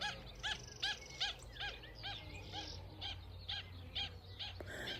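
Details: In December, a pied stilt flying around gives sharp, yapping notes about two or three times a second, each clipped and slightly nasal, over a low steady rumble; possibly signalling a nest and luring predators away.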